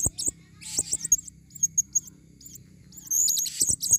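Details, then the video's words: Forest lure recording of a female blue-crowned hanging parrot: dense, shrill high-pitched chattering and thin squeaks, with a rasping burst near the end over a low background hum. "Serindit Suara paling banyak...!!"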